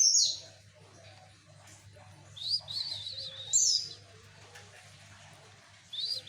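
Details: White-eye song from East Java, used to lure males: short, bright, high twittering bursts at the start, near three seconds, around four seconds and at the end, separated by quiet gaps with a low steady hum.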